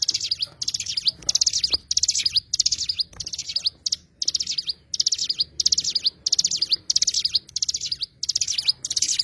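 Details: High-pitched twittering from an Oriental white-eye, known as cigun, with bursts of rapid thin notes separated by short silences, repeated evenly throughout in a clean recording.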